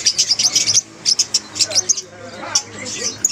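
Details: Lovebirds calling as a group, a sound meant to prompt a quiet lovebird to sing: shrill, high chirps in quick clusters broken by short pauses, with some softer lower notes behind.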